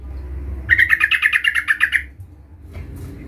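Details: A single burst of a sooty-headed bulbul's rival-luring call, about a dozen quick, buzzy notes in just over a second, followed by a quiet low hum.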